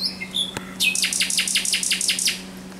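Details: Thrush nightingale singing at night on 17 May 2023: a few high whistled notes, then a fast run of about ten repeated descending buzzy strokes at a steady pace, with a faint low hum beneath.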